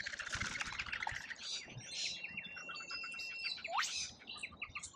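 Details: Lorikeets in a feeding frenzy at a feeder in Australia, filmed by a feeder camera: a dense overlapping chorus of harsh, screechy, buzzy calls and rapid chatter from many birds, with one sharp rising squeal near the end.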